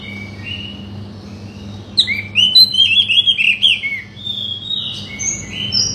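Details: Oriental magpie-robin song, played to provoke a silent bird into singing: after two quiet seconds, a run of varied clear whistled notes, rising and falling slurs for about two seconds, then softer whistles, over a steady low hum.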